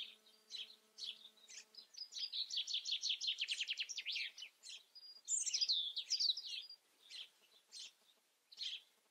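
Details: European robin: a low buzzing hum gives way to a rapid, even trill of repeated notes, then a high, sliding, whistled flourish and a few spaced chirps.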